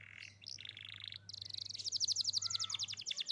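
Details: Singing young canary, played as a lure for canaries that have gone quiet: brief buzzy phrases give way to a fast, loud run of sharp repeated chip notes, about four per second rising in intensity, with a faint low hum beneath.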